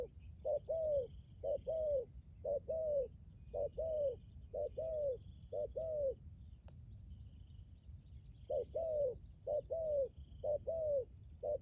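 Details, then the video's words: Decoy spotted dove, strong and persistent cooer, Lâm Đồng, Vietnam: evenly spaced pairs of low falling coos, a pause of about two seconds midway, faint high twitters in the background. "cu gáy mồi cứng gù hậu bền"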